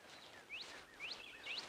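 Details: A Northern Cardinal at Bamberger Ranch Preserve, Blanco County, Texas, gives three quick, bright whistled slurs about half a second apart, like laser-beam zaps, over soft outdoor background noise.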